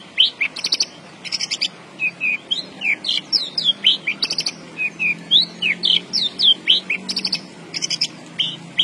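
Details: Javan bush lark singing energetically: brisk, varied phrases of falling and rising whistles interspersed with harsh buzzy rattles, notes following one another almost twice per second.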